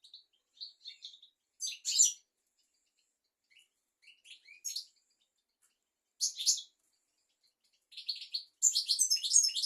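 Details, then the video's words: European goldfinch song recorded as a tutor track for teaching young goldfinches and canaries: scattered high twittering notes and short buzzy bursts, with the loudest dense jangling flourish near the end, in a quiet setting. "تغريد طائر الحسون"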